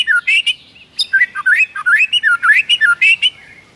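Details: White-rumped shama in the morning, singing energetically with a rich varied repertoire: a continuous stream of fluid, rising and falling whistles and short warbled notes, delivered rapidly without pause.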